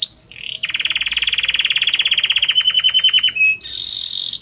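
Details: Belgian canary singing varied notes that change gradually: a high rising whistle, a long fast rolling trill slowing toward its end, a brief note, then a buzzy sustained phrase.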